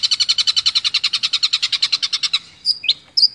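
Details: Kept long-tailed shrike from a 2020 contest-bird compilation, singing material imitating other songbirds; a fast run of about twenty buzzy, evenly spaced notes over two seconds, then a few sharp whistled slurs after a short pause.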